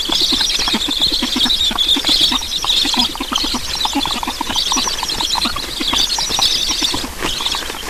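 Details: At an Estonian black stork nest during feeding, 9 July 2019, 7:15. Dense, unbroken hissing and wheezing runs throughout, with rapid low knocking pulses beneath.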